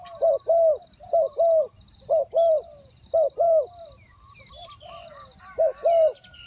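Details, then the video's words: Spotted dove decoy giving its two-note luring coo to attract wild doves; deep rounded coo pairs repeat roughly each second, with faint chirps from other birds in the second half and a constant high whine. "เสียงนกเขาใหญ่ ต่อ ขันเรียก คูอ่าง 2คำ"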